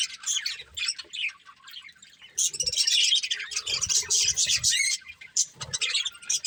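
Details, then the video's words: A breeding pair of budgerigars chirping while eating: dense, rapid high chattering warbles and squeaky chirps in busy bursts, easing into a quieter lull before the chatter picks up again, with soft low knocks underneath. "Beautiful Budgies Chirping Sounds"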